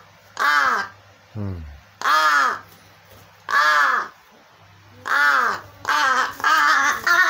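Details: Begging caws from a crow feigning hunger though not hungry, largely ignoring a child's rattle; drawn-out hoarse, nasal caws repeated at irregular intervals, quickening into closer-spaced calls at the end, with one short low grunt early on.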